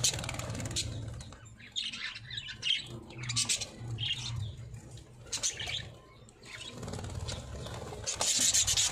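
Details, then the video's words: Parrots singing in Pakistan: bursts of sharp, squeaky chirps and short trills come in clusters separated by quieter gaps, over a persistent low mechanical hum. "Parrots Singing"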